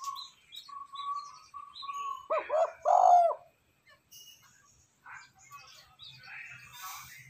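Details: Spotted dove coo used as a lure call for wild doves and decoy training: a series of short, steady, high whistled notes from another source, then one loud, low, throaty two-part coo, followed by quiet chatter.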